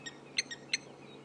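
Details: Noisy lapwings "chinking away" near a lioness giving contact calls, African bushveld around sunrise, 16 August 2016: sharp, shrill, slightly harsh notes, four in just over a second at an uneven pace, over a quiet background.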